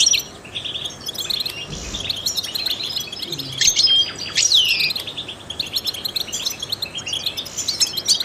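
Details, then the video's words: A trained European goldfinch sings to stimulate other songbirds, with steady high twittering, a few clear whistled notes and a bold downward sweep, plus a faint low thump. "goldfinches chirp to stimulate songbirds"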